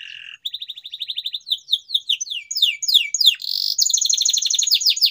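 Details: Canary singing as a stimulus for non-singing canaries: opens with a low-pitched buzz, then a steady rapid trill, cascades of falling slurred notes and a bright, dense high roll at the end.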